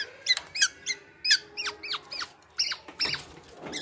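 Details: Male black-naped oriole imitating other birds with thin squeaky chirps and sharp downslurred notes, irregularly spaced, some sounding doubled.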